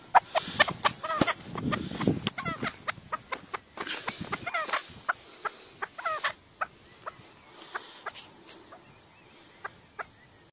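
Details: A chukar partridge gives a series of rapid, hard clucking notes with some wavering chuck sounds, irregularly repeated, over a background of clicks and rustling noise.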